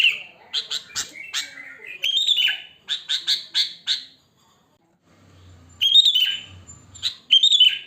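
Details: Wild sooty-headed bulbul in natural song without added filler sounds, used to lure bulbuls: bursts of harsh, chattering chirps and short slurred notes, a brief silent pause, then more loud chattering phrases.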